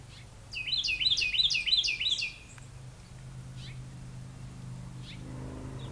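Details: Brown thrasher nestlings, five babies newly hatched, on 5/2/20 at 2:38 pm: a quick run of about six bright, high chirps, each with a falling-then-rising inflection, lasting under two seconds, then quiet with faint distant chirps and low hum.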